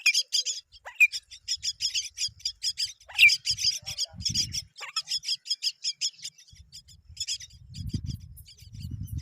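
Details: Myna nestlings fed by both parents: bursts of quick, high buzzy chirps, with pauses and soft low rumbling noise between runs.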